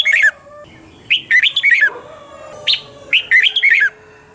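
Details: Red-whiskered bulbul singing a morning training song in the double-twist voice style, used as a lure recording for training birds: bursts of rich warbled, slurred whistled phrases, about four short phrase groups with quiet gaps between them.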